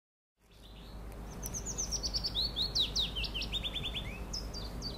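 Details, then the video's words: Willow warbler mixed singer recorded in 2015; a quick run of thin, high whistled notes slurring downward through the phrase, ending with a few separate high chirps, over a low background rumble. "Fitis-Mischsänger (Gesang)"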